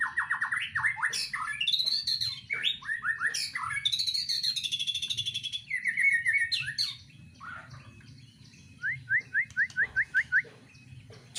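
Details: White-rumped shama singing in a breeding cage, a varied song of rapid whistled phrases, slurred notes and chattering trills, ending with a fast series of about eight rising notes; low steady hum underneath.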